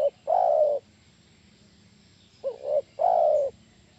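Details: Spotted dove luring call meant to draw replies from other doves: a loud sustained coo, then a short wavering double coo leading into another long drawn-out coo, in a quiet background.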